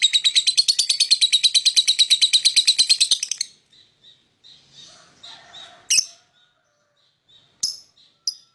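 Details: Lovebird singing to lure other birds: rapid steady chatter of high buzzy notes for three seconds, then quieter soft twitters and a few isolated sharp chirps.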